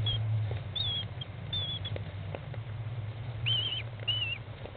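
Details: American kestrel mother feeding chicks in a nest box, chicks on day 15 after hatching, 20 May 2011 at 13:54; thin high whining calls, several short ones, then two longer wavering ones near the end, over a steady low hum.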